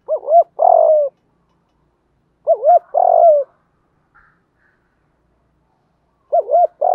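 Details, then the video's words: Spotted dove, male and female, used as a lure to call in wild doves: loud phrases of two quick hooting notes and a longer drawn coo, repeated about every three seconds in a quiet setting. "tiếng chim cu mồi thúc và gáy gọi bổi nhanh nổi nhất"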